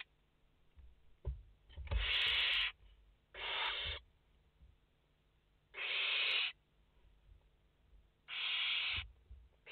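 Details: Barn owl chicks in a nest of five, live camera, 29 August 2021: a series of broad, breathy screeching hisses at irregular intervals, two coming close together, with faint rustling and knocks in the background.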